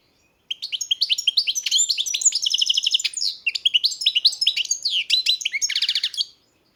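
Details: Breeder's captive European goldfinch singing a long unbroken run of quick, high, liquid twitters, slurred whistles and short buzzy trills, lasting about six seconds.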